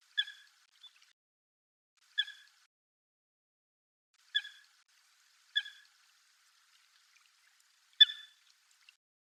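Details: Eurasian coot, wild bird filmed at close range, gives five short, sharp, explosive calls at irregular gaps of one to two seconds, against an otherwise quiet background.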